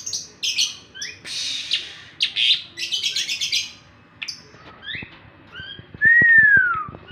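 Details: Asian pied starling singing in the morning: noisy, scratchy chattering phrases with squeaky notes, a short quiet gap with faint clicks, then a loud, pure arched whistle rising and falling.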